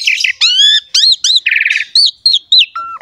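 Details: Captive Asian pied starling song from a master recording meant to get quiet birds singing: harmonic whistled phrases, sharp downslurred notes, a grating buzz and a final low whistle.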